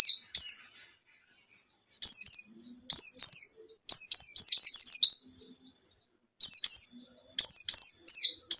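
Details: White-eye (pleci), a bird kept for song, its lively song used to lure a caged bird into singing: high, sweet chirpy phrases of rapid falling and rising notes, in bursts of one to two seconds separated by short silences, with no other sounds.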